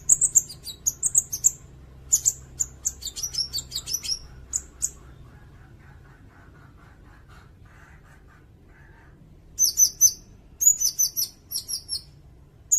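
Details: Sirindet song recorded as tutor material for songbirds and for luring: several phrases of high, sharp chips and slurred whistles, a quiet stretch in the middle, then more bright phrases at the end.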